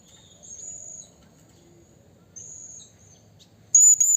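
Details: Blue-crowned hanging parrot calling a rival in the wild, recorded as a lure: faint drawn-out high whistles, then a sudden loud pair of shrill squeaks at the end.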